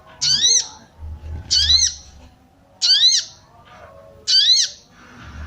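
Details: Female sooty-headed bulbul call for arousing males: four short bright chirps with a falling lower tone, repeated every second or so, with a low hum and faint softer sounds between notes.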